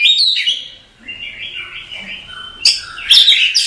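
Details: Oriental magpie-robin singing masteran-style: a rich whistled opening, soft quieter warbles through the middle, then loud harsh chattering and high piping notes at the close.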